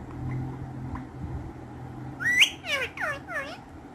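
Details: Green ringneck parrots, kept as playful pets, giving a rising whistled note followed by three harsh downward-sweeping squawks over low indoor hum.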